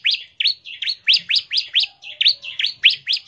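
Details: Bar-winged prinia in ngebren song intended to lure prinias into singing: a steady, rapid series of about a dozen rising-and-falling chirps, roughly three to four per second, with no other clear sounds.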